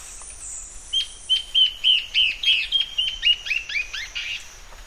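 A Peruvian warbling antbird sings a series of about twelve clear whistled notes that speed up and turn buzzier and lower toward the end. A high insect hiss sounds at first.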